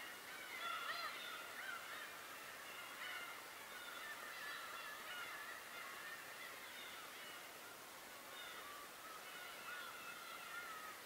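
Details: Dense chorus of many birds on Tobishima, harsh nasal calls overlapping constantly throughout, against a broad hissing background like surf or wind.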